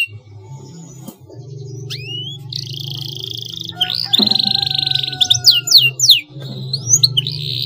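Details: Canary lure song meant to make a rival answer: a low steady hum underneath, then long high whistled notes, a sustained buzzy tone, and bursts of quick trills and sweeping slurs.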